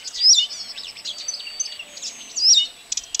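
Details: Brief passage of Blyth's reed warbler song, Kępiny Małe, Pomerania, Poland, June 2011: a continuous jumble of thin high whistles and buzzy notes with two louder upslurred whistles, ending in soft ticks.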